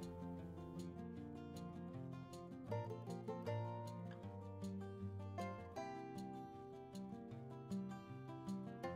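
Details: Plucked acoustic guitar music with strummed chords and a steady bass line, with no animal sounds.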